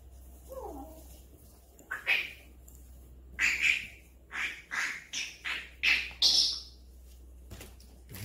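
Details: Pet Grey parrot screaming indoors: a string of about seven harsh, raspy squawks in quick succession over four seconds, each a short loud burst, preceded by a faint low sliding note.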